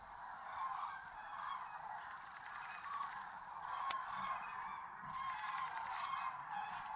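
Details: Common cranes calling at sunrise in the wet Tister Bauernmoor. Loud trumpeting honks swell and fade in waves over a constant chorus of distant cranes, with a brief sharp click near the middle.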